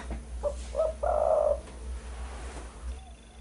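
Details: Spotted dove heard in a lure recording for trapping and training birds: one phrase of two brief low coos followed by a longer, louder wavering coo, then quiet background hum.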